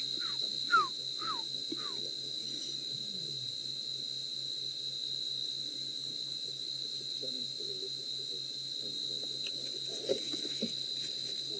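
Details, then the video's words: An African barred owlet gives four short, falling whistled notes at a quick, even pace, calling in the distance on an April evening in Djuma Game Reserve, against a loud, steady drone of nocturnal insects and a low hum. "You can hear a little African barred owl."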